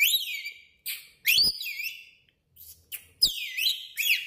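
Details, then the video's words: A pet lorikeet whistling indoors in a washroom: loud, swooping whistles that slide up and down in bursts, with brief pauses between and a slightly echoing sound. "lorikeet laila whistling"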